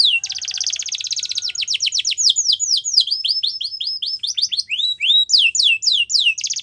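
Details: Singing canary opens with a dense buzzy trill, then a long run of rapid descending whistled notes, about four per second, shifting into rising chirps near the end.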